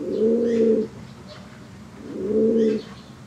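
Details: White fancy pigeon cooing: two drawn-out, low, throaty coos, each lasting almost a second, separated by a short pause, with faint higher chirps in the background.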